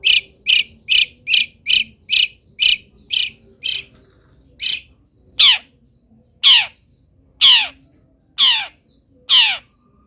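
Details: Long-tailed shrike singing wild-bird imitations during its moult: a quick series of clipped harsh notes slows into loud, drawn-out descending rasps roughly once a second.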